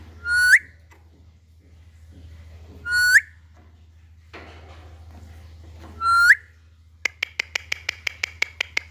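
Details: Alexandrine parakeet repeating a bright, rising whistle three times about three seconds apart, each note sweeping up sharply at the end, then a quick burst of rapid ticking clicks against a low background hum.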